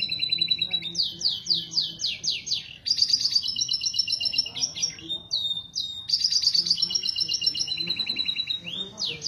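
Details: Canary mating song meant to spur pairing: rapid descending sweeps, loud ringing rattles and short rising whistles repeated in long energetic phrases with brief gaps.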